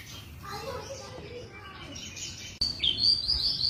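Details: Javan bush lark in active song: soft mixed high chirps and lower warbling at first, then an abrupt loud run of quick, high, repeated slurred notes.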